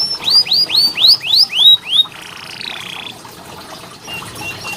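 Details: Canary training song: six loud, clear descending whistled notes in a steady series about every quarter second, followed by a softer wavering flat whistle and quiet scattered chirps.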